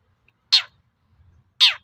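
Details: Long-tailed shrike provoking call meant to trigger replies from other shrikes: two loud, harsh, grating notes about a second apart, falling in pitch, with near silence between.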